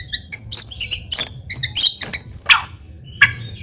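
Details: Lure song of a white-rumped shama meant to provoke a reply, a jumble of high chirps, clicks and buzzy downslurred notes delivered in irregular bursts.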